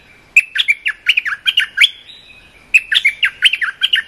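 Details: Training song of a cream-vented bulbul for young birds: two lively phrases of rapid chattering, warbled notes, separated by a brief pause with a faint thin whistle.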